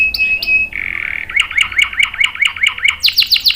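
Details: Canary singing as a lure and tutor for juvenile males: two short high chips, then a sustained buzzy tone and a chain of quick down-slurred notes that speeds into a rapid rolling trill at the end.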